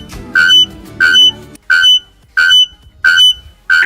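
Bare-throated Bellbird giving loud, ringing, bell-like notes, six in a row at a steady pace of about one every two-thirds of a second, with soft music at first.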